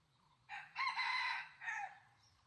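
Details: Junglefowl rooster in the wild answering a decoy hen, 2020: a clear multi-part crow with a short opening note, a long sustained middle section and a dropping final syllable, over quiet background.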